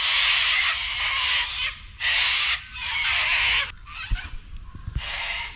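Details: Several cockatoos calling very loudly and excitedly on a seven-acre rural property before settling down: harsh, raspy screeching bursts of about a second each, repeated with short gaps, then softer broken squawks with a few knocks near the end.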